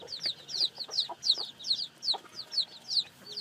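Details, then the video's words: Newly hatched chick peeps: about nine loud, high, downward-sliding notes in just over three seconds, steady and regular, with faint low taps between them. "Âm thanh gà con mới nở kêu, gà kêu, gà gáy"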